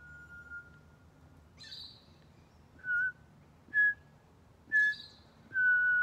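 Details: Pied butcherbird exchanging phrases with a person at Griffith Pioneer Park Museum on World Listening Day 2023; pure, flute-like whistled notes held steadily, with short brighter higher bursts between them.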